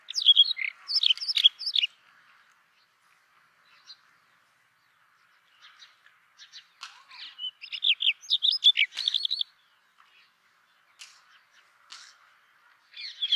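Brown rock chat song: short bursts of sweet, scratchy warbled phrases with quick chirps, given in spurts a few seconds apart over a quiet background.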